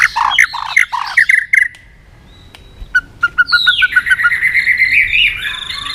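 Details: Competitive shama song, the bird stirred to fighting singing with quick tail flicks: clustered harsh squawky and chirping notes, a brief pause, then clipped repeated notes leading into a sustained high warbling, twittering stream.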